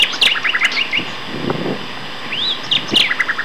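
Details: At Castor Hanglands near Peterborough, May 2012, two singing male common nightingales give quick stuttering notes, a smooth rising-falling whistle, then another burst of rapid chips.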